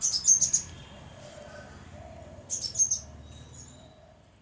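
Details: High, thin twittering chips from a crimson sunbird in two rapid bursts about two seconds apart, with a few fainter notes trailing after the second burst, in an otherwise quiet setting.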